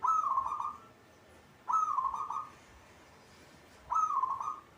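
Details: Caged local perkutut, or zebra dove, in full gacor song: three bright, burry cooing phrases that begin sharply and trail off, spaced roughly two seconds apart, with quiet pauses between them.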